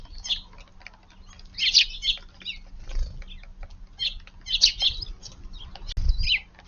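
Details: Morning garden scene with a Eurasian tree sparrow that came down after a brown-eared bulbul moved on: soft, scattered chirps, some doubled, spaced a second or two apart, with quiet background rumble.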